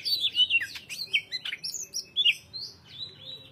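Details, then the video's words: Continuous, tightly spaced song of a greater green leafbird: bright, clear whistled notes and quick descending slurs tumbling one after another, loud and varied throughout. "KICAU CUCAK HIJAU GACOR JEDA RAPAT MATERI MANTAP"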